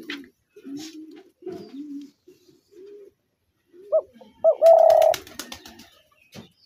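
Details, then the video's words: Soft, low spotted dove coos in short separate bursts, then two brief rising notes and one loud sustained coo, accompanied by sharp clicking knocks. "তিলা ঘুঘুর আরজিনাল ডাক"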